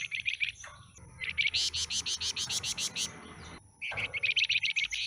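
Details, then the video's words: Caged pied fantail with a stubby tail, newly obtained, gives rapid trains of high, sharp repeated notes, one run rising louder and broader, over steady low background noise. "Suara Asli Kicau Flamboyan Ekor Buntung"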